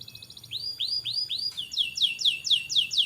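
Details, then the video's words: Canary song for tutoring young canaries: a brief trill followed by slow, rising-and-falling arched whistles, then faster downward-slurred notes repeated about twice per second. "Burung kenari gacor cocok untuk MERANGSANG kenari bahan agar cepat gacor"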